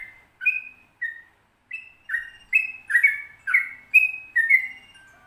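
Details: Sooty-headed bulbul singing the long 'ropel panjang' style: a few spaced whistled notes, then a quickening run of rich, liquid two-part whistles.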